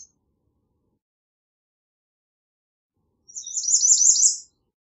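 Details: After a long silence, an American redstart gives one high phrase of about six fast, evenly repeated slurred notes.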